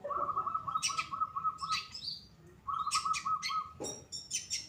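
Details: Captive long-tailed shrike of the Pastol type singing lively, used as a master bird for training others: two steady rattling trills at mid pitch, each followed by sharp, harsh chirps and bursts.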